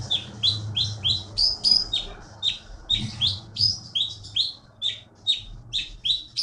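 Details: Caged champion keety (konin) songbird, originally taken from the forest of Bangka, Indonesia, singing energetically: rapid, high downslurred chirps repeated about three per second over a low background hum.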